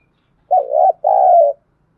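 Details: Decoy spotted dove calling to draw in other doves. Two mellow, throaty coo notes in a quick pair, the first wavering and the second long and steady.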